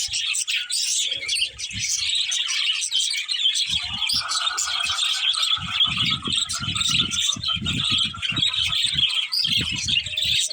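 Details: Budgies twittering in a steady, unbroken chorus of high chirps and buzzy warble, accompanied by repeated low thudding knocks through the second half.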